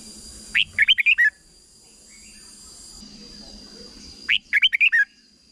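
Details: Red-whiskered bulbul, Thailand, singing the short 'bern' style used to teach young birds. Two bursts of five or six sharp, rising-then-falling whistled notes, separated by a three-second gap filled with a soft high hiss.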